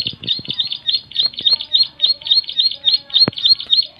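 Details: Loud song of a bar-winged prinia (ciblek): fast, even chain of shrill, high chirps, roughly three or four per second, with a few low thumps in the background.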